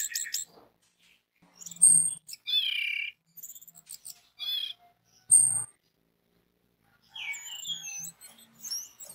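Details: Orange-headed thrush song used as a lure to make other orange-headed thrushes sing: scattered bright phrases of high warbled notes and looping whistles, separated by short silences, with faint low knocks in between.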